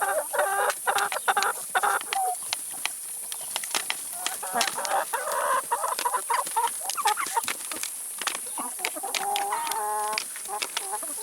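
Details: A flock of chickens eating salad and vegetables, with bursts of nasal harmonic clucks and chatter, one clear stacked-tone call near the end, over dense pecking clicks and steady hiss.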